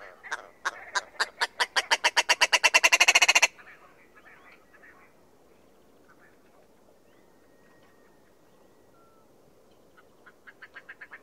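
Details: Willow ptarmigan giving a loud, accelerating series of hard, clipped notes that speed up into a dense rattle and stop abruptly after three and a half seconds. A long quiet stretch follows before another faint, quick pulsed series begins.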